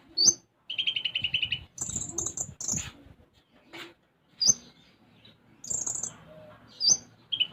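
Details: Sunbird (konin) in energetic song with isian gereja phrases. A pulsing mid-high trill and very high buzzy notes are broken by sharp, piercing upslurred chips and softer scratchy sounds, with brief quiet gaps.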